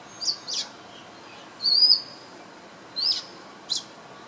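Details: Preening swiftlet-like bird in Singapore, 2017, giving scattered high chirps: short bright notes and one longer, thin, slightly rising chirp, separated by pauses, with quiet steady hiss behind.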